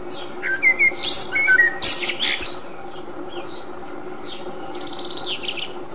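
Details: Common blackbird singing in the wild, filmed with a 40x zoom: low fluted whistled notes open the phrase, then a burst of high squeaky twittering, with fainter high twitters trailing off later, all over a steady low mechanical hum.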